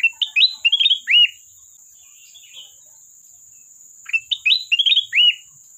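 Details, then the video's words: Sooty-headed bulbul singing to call a rival: two lively phrases of quick rising and falling whistles ending on a slurred downward note, about four seconds apart, with a steady high hum in the background. "Burung Kutilang Emas Gacor isian pandai memanggil lawan"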